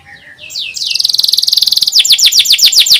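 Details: Canary song for teaching young canaries: a soft opening, a rapid high buzzy trill lasting about a second, then loud descending sweeps repeated roughly every quarter second.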